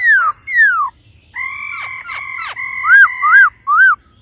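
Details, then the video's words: Female laughingthrush calling ro ro to excite the male quickly: two falling whistles, then sustained buzzy harmonic notes broken by sharp clicks, ending in three short arched whistles. "khướu mái ro ro kích trống nhanh căng lửa"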